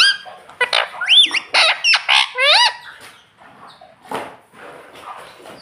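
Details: Household parrot mimicking "mummy" and "papa", producing a fast cluster of raspy squawks and bending, voice-like notes for about three seconds, then quieter rustling and faint chatter.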